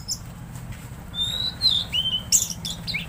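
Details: Tledekan Laut singing vigorously: a string of thin, high whistled notes and sharp chirps, some rising, others slurred downward, given in quick succession over a steady low hum.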